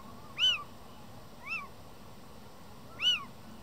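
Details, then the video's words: Male little owl in breeding season, Madrid, February 2023, mewing insistently beside his mate while another owl answers from nearby: three cat-like arched mews about a second apart, middle one fainter, over soft hiss; he later mounts her twice. "Pareja de mochuelos en época de celo, maullan"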